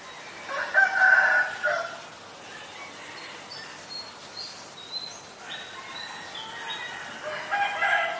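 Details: Green-billed malkoha giving two bursts of harsh, nasal, harmonic-rich notes, the first near the start and the second toward the end, with quiet natural background between them.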